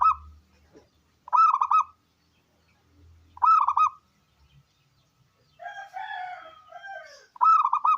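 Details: Local wild zebra dove with a big voice singing, played to lure and prompt other doves into singing: short bursts of rapid, rolling, high coos about every two seconds, with a lower, drawn-out call from another bird between.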